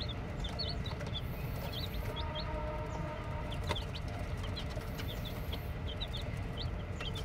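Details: Newly hatched chicken chicks peeping, short high rising notes repeated irregularly through the clip over a steady low hum.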